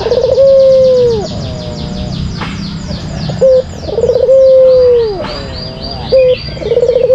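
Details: Lure song of a white collared dove kept as a contest bird: long rolling low coos with a falling tail and short clipped notes between them, while small birds chirp high and busily in the background.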